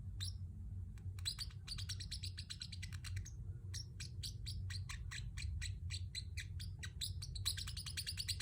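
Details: Pacific parrot kept as a pet, chirping busily in dense runs of short high notes broken by a short pause, over a steady low hum.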